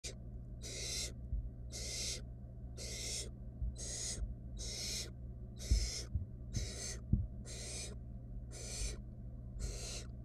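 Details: Wild barn owl nestlings in a monitored nest box, one stealing a rat from its sibling that could not swallow it; harsh, breathy hissing bursts, each about half a second, repeated roughly once per second, over a steady low electrical hum.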